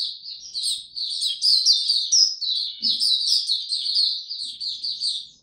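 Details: White-eye singing in warm, very humid weather on 26 March 2022: a rapid, continuous run of high, thin twittering and chirping notes, with scratchy trills between clear sweet phrases, and a brief soft low thump midway.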